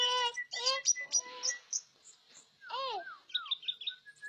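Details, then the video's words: Orange-headed thrush singing a lively, varied string of whistled phrases: clear harmonic notes, quick downslurred and upswept whistles, a sharp falling slur near the middle, then rapid short chirps and a thin, level whistle to finish. "Viral!!!!Anis Merah Teler Kagak Ketulungan...."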